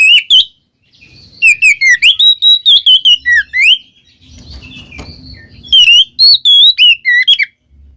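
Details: Oriental magpie-robin (kacer) giving 'ngeplong' song to spur a quiet bird into singing: clear whistled notes repeated about two per second in two phrases, wavering and sliding, with a noisy pause between them.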